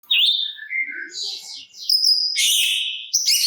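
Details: Oriental magpie-robin singing to provoke other magpie-robins into answering: loud, clear whistled phrases at varied pitches, a rising note, then buzzy, harsher bursts toward the end, with short pauses between phrases.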